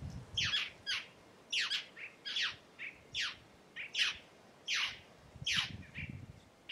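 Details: A Red-necked tanager singing in the Caatinga gives thin, high, sharply falling notes, some paired, about once a second, with a few shorter soft chips between and a low rumble behind.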